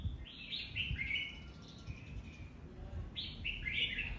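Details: Red-whiskered bulbul, singing competitively: two quick bursts of lively, warbled, downward-sliding notes separated by a short lull, set against steady low background noise.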